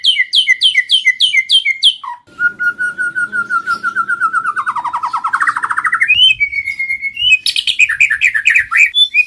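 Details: White-rumped shama singing in the 'kéo thuốc lào' (water-pipe drawing) and 'giọng dây' styles, a recording used for daily song training: quick repeated bright chirps, then a long rolling buzzy trill that dips and rises, a clear whistle, and more rapid chirping phrases.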